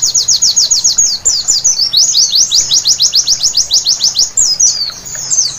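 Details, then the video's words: At night, a white-eye pours out a fast, high, thin twittering song, sharp notes tumbling several per second in a long unbroken run; played as a night-time training recording meant to make white-eyes sing. "Terapi Pleci Malam Hari Bikin Gacor seketika"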